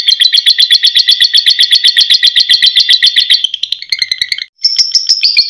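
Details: Lovebird ngekek: an extended harsh, rapidly pulsed trill that fades briefly, stops for a moment, then restarts higher and sharper, all high-pitched and loud.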